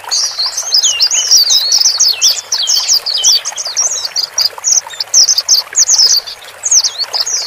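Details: Male and female white-eyes heard to help a newly bought bird settle alone in a cage; a lively rush of high slurred twitters, then sharper separate chirps toward the end, over soft hiss.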